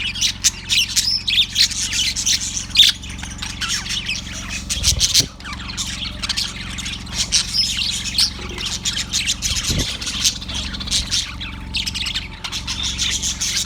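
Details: Recorded February 18, 2024, a yellow budgie keeps up a long, steady chatter of rasping chirps and squawks, with two sharp low knocks midway and a persistent low hum.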